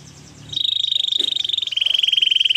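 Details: Canary song with a short soft opening, then a long, loud, rapidly pulsed trill holding a steady high pitch, dropping slightly lower for its second half.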